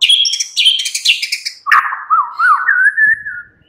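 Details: White-rumped shama afternoon lure song meant to set off a captive bird: harsh buzzy chatter opens the phrase, then a clear warbling whistle wavers up and down before fading.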